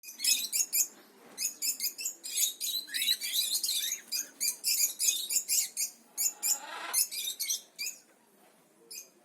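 Cockatiels give rapid, high, scratchy chirps in quick irregular bursts.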